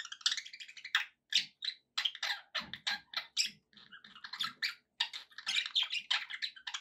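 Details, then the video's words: Pet budgerigars chatter in a dense warble of short scratchy and whistled notes, fast and continuous in bursts with brief pauses, mostly high-pitched and indoors-sounding. "relaxing budgie sounds for your birds"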